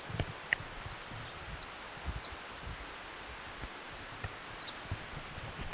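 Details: Pacific wren singing on July 6 during a hike along water; a long, rapid, high tinkling run of trills and twitters, nearly unbroken, with faint rustling and low handling noise beneath.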